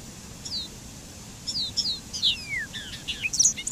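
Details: A Bobolink sings a rising, bubbling jumble of notes: thin descending slides give way to rapid, twanging, high-pitched tinkles that grow louder toward the end.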